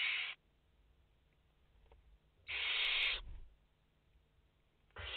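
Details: Nest of five barn owl chicks on a live camera, 29 August 2021: one long harsh hiss in the middle, framed by cut-off hisses at either edge, soft shuffling underneath.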